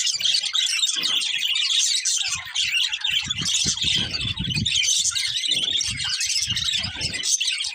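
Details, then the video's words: Colourful budgies, a breeding pair, chirp and warble continuously in a busy high-pitched chatter, joined by soft low thumps and rustles in the middle stretch. "Colourful Budgies Chirping Sounds"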